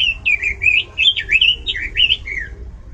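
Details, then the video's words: Loud, varied Oriental magpie-robin song: a continuous stream of rich, slurred whistles that dip and rise in quick succession, about three notes per second, with faint low hum beneath. "ROBIN GACOR SUARA LANTANG DAN VARIASI"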